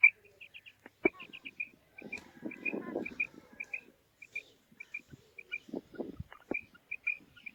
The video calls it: Female Quail Calling